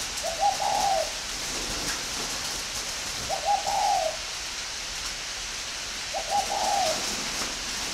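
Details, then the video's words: Spotted dove at a breeding aviary in Ba Vi district, Hanoi, northern Vietnam, giving three evenly spaced coo phrases roughly every three seconds, each a mellow, slightly rising and falling run, over steady hiss. "chim cu gáy hay miền bắc"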